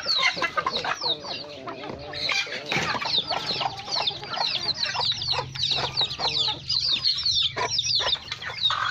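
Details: Domestic chickens, including hens, roosters, chicks and young birds, eating food at a family farm: dense overlapping high peeping chirps from many chicks, with scratching and rustling throughout.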